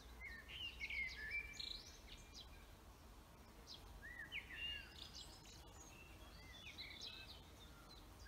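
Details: Birds singing in a forest, with several bursts of twittering, warbling phrases and high sharp chirps separated by brief pauses, against low steady background noise.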